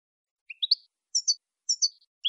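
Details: Saffron finch song for training captive birds: a few clear high whistled notes, some rising and some falling, spaced irregularly with short gaps. No other sounds.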